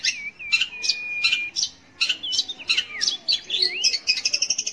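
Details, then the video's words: Long-tailed shrike singing, a recording meant to provoke young or silent shrikes: a drawn-out level whistle among sharp clipped notes, then twisting whistled phrases speeding into a rapid high trill. "kicau BURUNG CENDET / PENTET untuk PANCINGAN"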